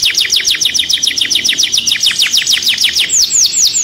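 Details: Canary singing to stimulate other birds for mating: a rapid series of high, downward-slurred notes repeated several times a second, ending in a few higher sweeping whistles.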